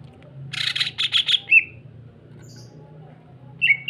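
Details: Greater green leafbird used as a lure to stimulate other leafbirds to sing: a quick run of five harsh, buzzy bursts ending in a clear whistled note, then after a pause a short bright whistled phrase; faint low hum behind.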